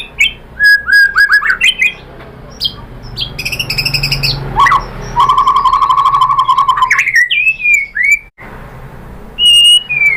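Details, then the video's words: Shama (murai batu) lure song intended to provoke other shamas: whistled notes, a buzzy high chatter, then a long even trill, followed by swooping whistles and quiet pauses. "pancingan AMPUH‼️ MURAI BATU ikutan NYAUT GACOR BONGKAR MATERI"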